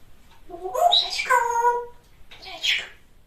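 A grey parrot talks in a clear, speech-like voice for about a second and a half, then adds a short raspy syllable after a pause.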